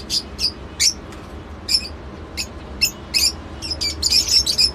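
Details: Lovebird producing separate shrill, clipped chirps spaced about half a second to a second apart, becoming a denser twittering flurry near the end, with a soft low hum behind.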